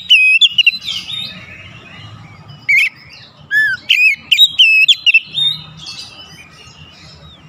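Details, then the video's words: Oriental magpie-robin song used as a lure recording to rouse other birds: loud, varied whistled phrases, sliding and warbling notes with sharp high clicks, broken by short pauses; faint low rumble underneath. "PANCINGAN KACER NAIK EMOSI"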